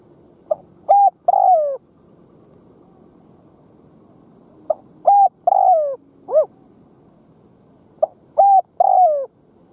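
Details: Spotted dove kept as a decoy, giving kích bổi cooing to provoke wild doves: three phrases of a soft short note, two quick bent coos and a longer falling coo, spaced about three to four seconds apart.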